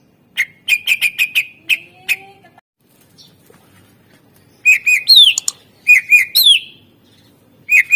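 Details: Greater green leafbird, captive and used as a song lure for other birds: quick repeated sharp notes, then after a pause a mix of harsh chattering notes and slurred rising whistles.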